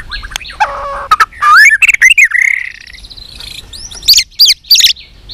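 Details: White-rumped shama being trained to sing for contests, many-voiced song: varied whistles, slurred rising notes and sharp high chips in quick succession, over a low background hum.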